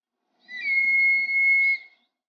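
A Chinese monal gives one long, steady, high whistle lasting about a second and a half, with a tiny hitch midway, against a quiet background.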